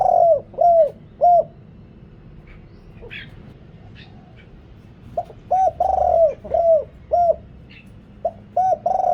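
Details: Big-voiced decoy spotted dove cooing to call wild birds, with noise reduced. A phrase of short arched coos ends, a pause with soft chirps follows, then a fuller phrase of quick pips and long resonant coos repeats.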